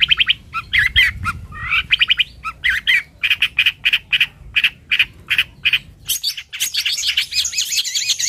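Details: Energetic long-tailed shrike (cendet, toed) delivers rows of harsh, buzzy repeated notes, then switches near the end to a high, tangled warble of rapid chirps.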